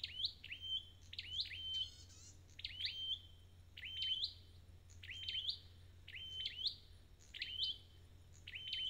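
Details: Red-headed bird in recovery delivering steady high song: repeated rising sweeps ending in a clear held whistle, about one phrase per second, with a brief rattling trill early on and constant low hum.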